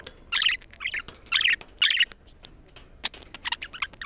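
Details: Budgerigar chatter meant to excite birds and encourage females to breed: a quick run of raspy, scratchy chirps in the first two seconds, then thinner clicks and squeaks trailing off.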